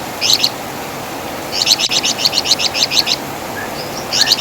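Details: Master song of the Wergan Jawa, or flamboyan bird, for songbird training; a short two-note chatter, a pause, then a rapid series of high buzzy notes and a final burst beginning.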